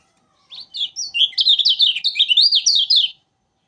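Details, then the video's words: Lombok yellow flowerpecker, a bird that sings tirelessly: one continuous, rapid, high twittering phrase of varied up-and-down slurred notes lasting under three seconds, with a clean, quiet background. "Burung Kecial Kuning Lombok Rajin Bunyi"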